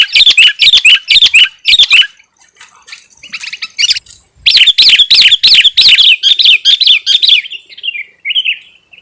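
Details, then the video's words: Sooty-headed bulbul singing gacor-style to draw in wild birds and rile rivals: fast bursts of sharp, ringing chirps, a quieter gap around two to four seconds, then a long chattering run ending in softer notes. "suara kutilang gacor 💯 dapat memancing emosi lawan si burung⁉️"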